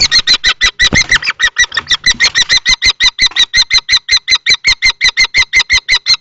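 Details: Common kestrels fight over a nest box in Théding, 20 March 2024: an older adult male against a young male. A rapid, evenly spaced series of piercing notes, about three per second, with a few thuds early on.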